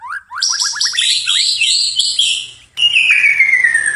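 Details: White-rumped shama singing energetically at night: a quick run of short rising whistled notes, then tumbling high warbles and a long sliding whistle that falls steadily in pitch.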